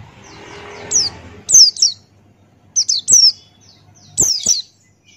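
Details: Male Buxtoni white-eye singing ngalas with open beak, a tutor recording: pairs and triplets of high, sharply descending whistles, opening over a short stretch of broad noise, then clearer phrases with pauses.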